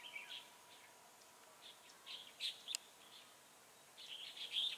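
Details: Decoy red-whiskered bulbul during a trapping session on 8/11/2017, singing to draw rivals: sparse clear chirps and brief warbling phrases in short bursts separated by pauses, with soft background hiss.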